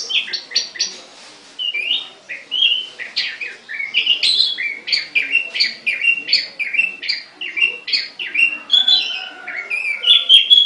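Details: Songbird kept in a cage delivering a long, lively run of rapid chirps and sliding whistled notes, rising and falling in pitch, steady and continuous with almost no breaks.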